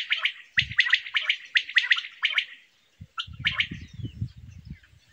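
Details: Quail calling: quick, bright, liquid notes fired in rapid bursts, then a short pause and a few more sharp notes, with soft low thumps and rustles underneath.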